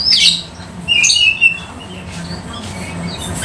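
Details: Caged Oriental magpie-robin, tail spread, singing to lure other magpie-robins: a harsh bright burst, then a clear whistled phrase, followed by sparse, quieter high notes against a soft room hum.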